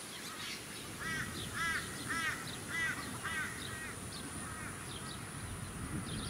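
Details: Australian wood duck (Chenonetta jubata) at a small artificial lake, Sunshine Coast, Queensland, February 2018: five nasal, mewing calls about half a second apart, then fainter ones, over wind-like rushing noise.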